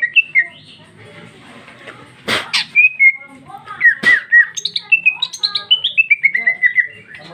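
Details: Female greater green leafbird sings a rapid, varied run of clear whistles and chirps, about four notes a second, with a couple of sharp clicks mixed in.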